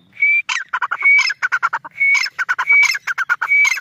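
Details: A pair of grey (white) francolins gives loud, shrill repeated phrases: a clear high whistle, then a fast run of harsh clicking notes, cycling about once a second.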